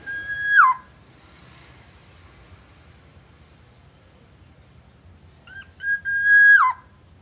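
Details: Black-naped oriole, a lure recording linked to Aceh and used to coax other orioles into singing: two rich, fluty whistled phrases, each a held note ending in a sharp downward slur, separated by about five seconds of quiet.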